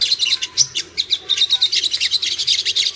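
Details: Ruby-cheeked sunbird song used as a lure to make birds aggressive and bring them into breeding condition: rapid, high, thin chirps and twitters in quick pulses, about six bursts per second, with no other clear sounds.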